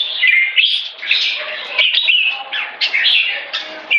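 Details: Brief red-whiskered bulbul phrase in one-stroke style, building toward keke: a quick run of bright, slurred whistles and bubbling notes.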